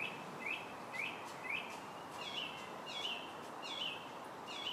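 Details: Distant song thrush singing on July 8th: a downward-slurred whistled phrase repeated three times, then a second phrase repeated four times, fairly soft over steady background hiss.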